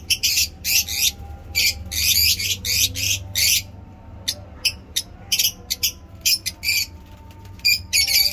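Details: Lovebirds chirp in Peshawar's fine weather, giving rough, buzzy chirps in a steady rhythm, then sparser sharp clicks and squeaks, over a low background hum.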